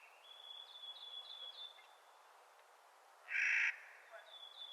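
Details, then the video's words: Clark's nutcracker in spring giving one short, harsh, scratchy call after a thin, high, repeated whistled song from another bird. "Clark's Nutcracker Calling in Spring"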